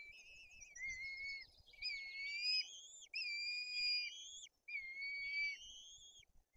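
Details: White-tailed eagle nest in Bory Tucholskie, Poland, at feeding time for two chicks with an aggressive older sibling: high, piping whistles, several drawn-out notes ending in slight downward slurs, over a faint background hiss.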